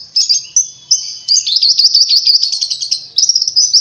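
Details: Oriental white-eye song, played as a lure to get caged white-eyes singing vigorously: high, thin twittering in short bursts separated by brief pauses, then a long, fast, buzzy warbling run, then quick, bright chirps again.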